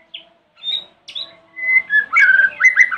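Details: White-rumped shama in the morning, singing to provoke other shamas to respond: a few spaced high whistles and a long pure note, building into a dense rattling, chattering phrase; a faint low steady tone underneath.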